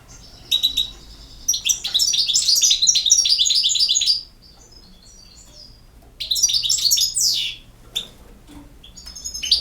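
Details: European goldfinch delivering two bursts of rapid, liquid twittering, bright and high, separated by a quiet gap of about two seconds, the second phrase ending in a downward slurred note.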